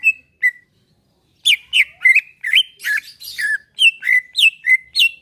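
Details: Relaxed song of a caged greater green leafbird, played to make another caged bird sing: two short whistles, a pause, then a steady series of bright, rapidly slurred whistled notes repeated roughly every quarter second.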